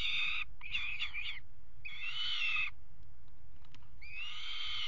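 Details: Peregrine falcon pair mating on the ledge of a water tower nest box in Axel, February 2018: three strained, wailing harmonic calls with wavering pitch, separated by short pauses, with constant low background hum.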